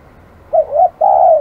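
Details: Spotted dove, described as aggressive, giving one low cooing phrase: two short soft coos followed by a longer, steady drawn-out coo, in a quiet setting.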